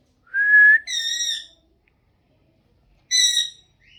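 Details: Pet parrot voice: a steady whistled note running into a longer nasal, harmonic syllable, then one more similar syllable after a gap and a faint rising whistle at the end.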